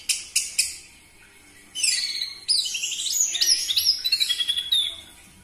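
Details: Orange-headed thrush singing as a lure for captive birds: three sharp, clipped notes, then a long, rambling stream of high, jumbled twitters and whistles.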